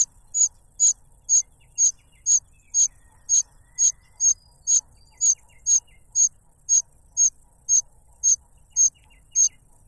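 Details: Cuckoo chick begging while the foster parent brings a butterfly; single thin, very high notes repeated evenly about twice a second in a quiet setting.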